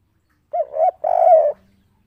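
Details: One "kuk 3" coo from an agitated spotted dove perched on a roof: a short hooting double note, then a sustained, slightly wavering coo, followed by quiet.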